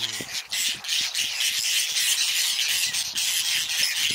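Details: A whiskered tern colony on water chestnut and lotus beds in Astrakhan State Nature Reserve, Russia, July 2017, nests still with clutches; a continuous din of overlapping rasping, squawking calls from many birds, with no pauses.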